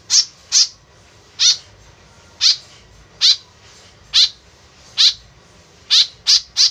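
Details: Tame white-breasted woodswallow calling, used to lure others: about ten rasping, descending notes spaced unevenly, with a closing run of three in quick succession.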